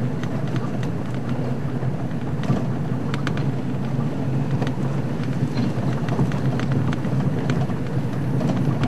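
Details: A loud rolling vehicle drone with scattered rattles and clicks from the road, and nothing from any animal.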